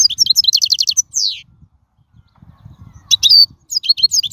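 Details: Wild European goldfinch, song recorded for tutoring fledglings: quick repeated liquid notes, a downslurred buzzy note, then after a pause more tinkling twitters over faint low background noise.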